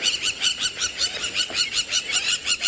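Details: Crowned lapwings, arid-area specialists, call in loud, shrill, rapid notes, roughly five per second, during a wing-flashing display on a clear sunrise in a clearing at Djuma, Sabi Sand, South Africa, 2 October.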